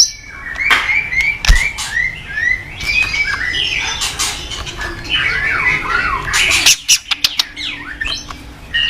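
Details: White-rumped shama singing energetically, used as master song to provoke untrained shamas; overlapping varied whistles and harsh bursts, dense and somewhat blurred, with sharp clicks between phrases.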